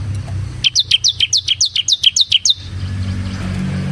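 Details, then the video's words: Ngebren song of a ciblek semi, the bar-winged prinia: one quick series of about eleven bright, high chirps that drop in pitch, with a low background rumble before and after. "suara burung CIBLEK SEMI GACOR Ngebren Ampuh untuk Pancingan Ciblek Kristal dan Masteran Ciblek"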